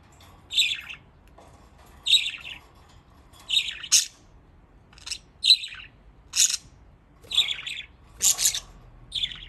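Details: Pet budgerigars in Japan playing in water chirp steadily: a run of about ten scratchy, buzzy notes roughly one per second, some sharper and higher, over a quiet room.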